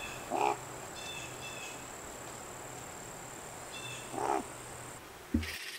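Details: Spruce grouse in a group of male, female and juvenile feeding in fall in Algonquin Provincial Park, Ontario, gives two soft, low clucking notes about four seconds apart, over a steady high insect hum, faint distant birds and a closing knock.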